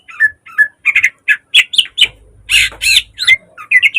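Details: Training model and lure song of a caged green leafbird, described as rich in imitations. Short descending whistles give way to loud, harsh, noisy chirps, with a low hum in the middle.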